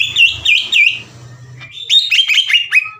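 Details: Agitated kept greater green leafbird singing loudly to challenge other leafbirds. Three dipping, buzzy whistles, a quieter low hum, then a rapid run of sharp, stepped whistled notes.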